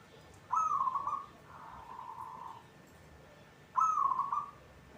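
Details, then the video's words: Local zebra dove singing actively: a bright, slightly rising coo note followed by a softer, lower sustained purr, then the bright coo returns about three seconds later. "hitungan detik perkutut cepat bunyi atau gacor"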